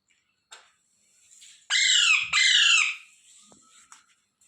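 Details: Indian ringneck parrot squawking twice in quick succession, two loud, grating calls that each drop slightly in pitch, preceded by soft scuffling and faint ticks, with quiet background noise afterwards.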